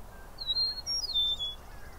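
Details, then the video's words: Eastern meadowlark from Southern Ontario, Canada, delivering a short, pure whistled song of three sliding notes, high, higher, then falling lower, over a quiet low hum. "Eastern Meadowlark Calls/singing"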